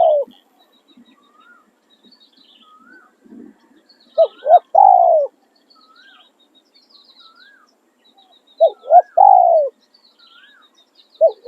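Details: Spotted dove crowing in Thailand while used as a decoy in dove luring, in khan riak and khan yon styles: two clipped coos then a long falling note, repeated twice. Thin whistled notes from other birds sound between phrases.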